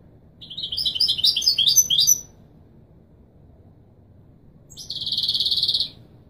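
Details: European goldfinch singing in the Moroccan Widani Marrakchi song style, played to teach young birds to sing: about two seconds of rapid high twittering notes, a pause, then a dense buzzy trill near one second long, over a quiet low hum.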